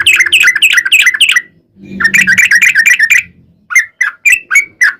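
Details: Lure recording of a sooty-headed bulbul in long 'ropel panjang' song, aimed at drawing bulbuls into song: rapid tumbling whistled notes over a low buzzing hum, a pause, then a few slower spaced chirps.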